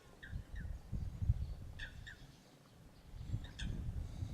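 Greater flamingo giving short, nasal, goose-like honks, singly and in quick pairs, spaced about a second apart, over a steady low rumble of wind.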